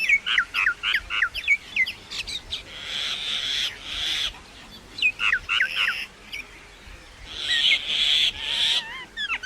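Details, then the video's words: Common myna, also called Indian myna, making different types of sound like singing: a varied run of sharp chirps and whistled notes in quick bursts, then harsher rasping stretches and a few high squeaky whistles, with some background noise. "Common Myna Bird sound like singing (Making different sound)"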